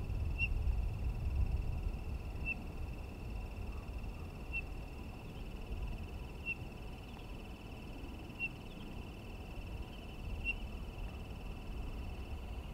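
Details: Townsend's solitaire calling single clear, high piping notes at a steady pitch, one about every two seconds, over a low background rumble.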